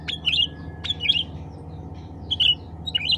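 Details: Cucak ranting (black-capped bulbul) calling to its own kind: a sharp clipped note leading into a warbled, wavering phrase, given twice, then two further quick chirps, over a low steady background hum.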